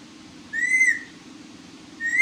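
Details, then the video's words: A pet parrot whistles one clear, slightly arched tone lasting about half a second, then starts a second whistle after a pause, with a faint low hum beneath. "Parrot Ki Baten"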